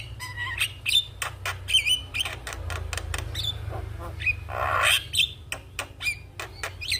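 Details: Javan myna in energetic full song while bobbing its head, used as a master recording for training young mynas: a busy jumble of harsh squawks, clicks and whistled notes, with a rough raspy burst near the end and steady low hum beneath.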